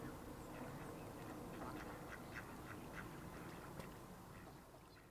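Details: Northern pintail (Anas acuta) call: short, raspy, quacking notes in quick, uneven bursts, about three a second, over a steady low rumble of background noise.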